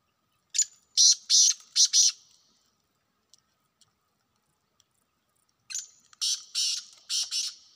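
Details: Calls of wild black francolin: two grating phrases, each a short lead-in note followed by four loud, scratchy, buzzing syllables at an even pace, separated by about three seconds of near silence with a few faint clicks.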